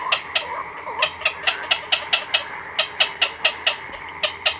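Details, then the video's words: Chicks and adults of black-crowned night heron calling in their colony at night, heard close: rapid series of sharp ticks in uneven clusters, with softer wavering squawks mixed into the busy colony background. "Black-Crowned Night Heron. Calls CU From Chicks & Adults In Colony At Night"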